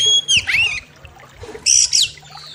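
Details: Master recording of a kacer, the oriental magpie-robin: two short phrases of clear whistles sliding downward with harsh edges, separated by about a second of quiet.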